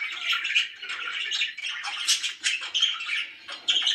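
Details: Budgerigars kept as pets chirp happily in a rapid, chattering warble broken by sharp squeaks and brief louder peaks toward the end.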